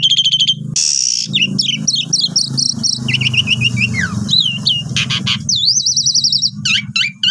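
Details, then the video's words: Long, busy Asian pied starling song used as a tutor for newly bought birds. It mixes rapid chattering notes, sliding whistles and a run of V-shaped whistled notes over a steady low hum. "Pancingan Jalak Suren Nyapam Gacor Suara Panjang Cocok Untuk Masteran Burung Baru Beli"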